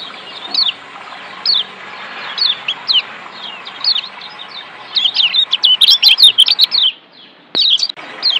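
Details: Lombok white-eye therapy song for lazy birds; spaced high falling whistles, then a fast burst of chirps around the middle, a brief drop to near silence, and more whistled notes.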